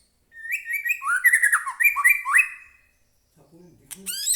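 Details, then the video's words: White-rumped shama giving a rapid warbled phrase of repeated falling whistled notes, played to make captive shamas sing; a brief low voice and sharp chips follow at the end. "murai batu gacor AMPUH buat pancingan murai batu agar bunyi"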